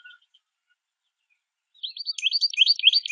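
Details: A small group of American goldfinches at a backyard feeder, singing as they feed; after quiet, a fast, steady run of high, warbling twitter notes, several per second.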